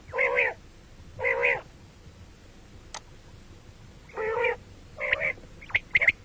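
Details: Common quail heard in morning and night calling: lower, nasal, mewing notes in spaced pairs, then one more, ending with several sharp, high, clipped notes and a click.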